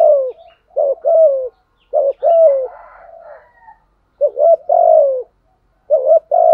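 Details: Spotted dove used as a decoy to lure wild birds, giving a full set of calling, urging and cooing phrases: short stuttered notes then long falling coos, phrases repeating roughly every two seconds, with a fainter answering coo in between.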